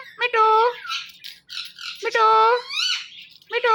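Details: Male and female pet Indian ringneck parrot pair making morning sounds indoors. Nasal, harmonic squawks alternate with chattering, talk-like phrases and squeaky rising notes in bursts about two seconds apart.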